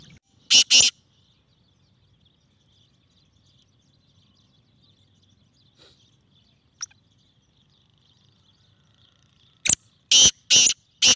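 A Black francolin gives loud, harsh, grating notes: a quick pair, a long quiet gap, then a fast run of four or five over a faint background hum.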